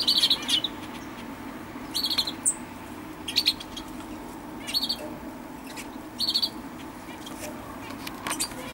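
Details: Common chaffinch on 20 October 2012, giving short high chirping bursts roughly every one to one and a half seconds against faint constant noise.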